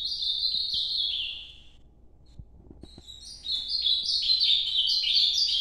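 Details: Nordeste-style noturno song of an Ultramarine grosbeak. A loud descending warble is followed by a short pause with faint clicks, then a longer, rising and falling series of sweet whistled notes.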